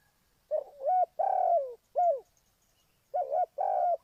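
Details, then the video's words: Spotted dove from Ninh Thuận, Vietnam, used as a lure for bird trapping, giving deep hollow coos: a quick two-part note, a long falling croo, then a short coo, with a pause before two more phrases in quiet surroundings. "Cu gáy Ninh Thuận"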